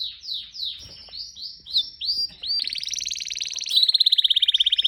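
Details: Pet canary singing: a series of downward-sweeping whistled notes, then fast rolling trills, ending in a rapid, even pulsed trill repeated several times a second.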